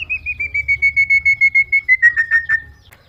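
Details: Myna, said to talk, gives a long trilled whistle that falls slightly in pitch, ending in a few throbbing pulses before fading, over a faint low hum.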